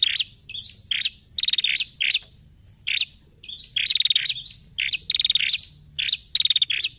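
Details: Female bar-winged prinia, recorded as a lure to trigger other prinias' song: high, dry, buzzy chattering bursts, each a quick rattle, repeated about once a second with short gaps.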